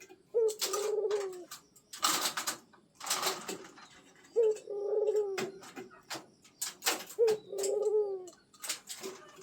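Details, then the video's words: Pet zebra dove, local bird, prompted by sound to call without stopping. Three soft cooing phrases about every three seconds, each a short rising note and then a low rolling coo, with sharp clicks and taps between. "PUTER PELIHARAAN, DI PANCING BUNYI TIADA HENTI"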